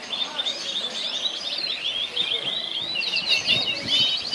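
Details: Several orange canaries at Al Abdali in Kuwait sing at once, forming a continuous tangle of rapid twittering and trilled phrases over a steady background hiss.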